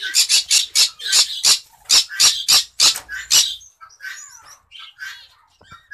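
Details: Cinnamon green-cheeked conure in a breeding cage: a fast run of about a dozen loud, harsh squawks over three and a half seconds, then quieter scattered chirps and short calls.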